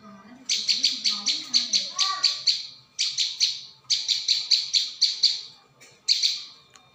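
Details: Prinia chipping for a luring recording: long rapid runs of sharp high notes in several bursts, with a faint low voice-like sound near the start.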